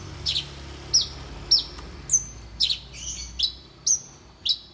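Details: High, piercing whistled notes from a Horsfield's bush lark with champion-quality song, about two per second, alternating with rough, buzzy chirps. A low background hum runs throughout.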